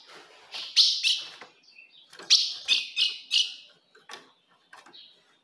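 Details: Female ultramarine grosbeak calling to excite a male: a few soft notes, then a run of bright, sharp falling chips, ending with faint scattered ticks.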